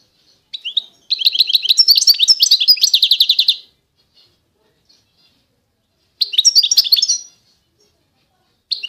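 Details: Authentic Constantine goldfinch from eastern Algeria delivers a long phrase of rapid tinkling twitters that run into a steady buzzy trill. A pause follows, then a shorter bright twittering burst and the start of another phrase.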